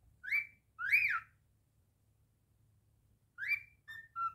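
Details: Indoor pet cockatiel giving two loud arched whistles, a pause, then a swooping whistle and two short flat tones, with low background hum.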